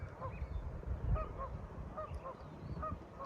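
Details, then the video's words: Several geese among waterfowl on a reservoir along the Owyhee Uplands Byway in sagebrush country, Idaho–Oregon, give nasal two-toned honks, one or two per second, on a morning amid a standoff, over low wind or engine rumble. "on it. You can hear the geese. We"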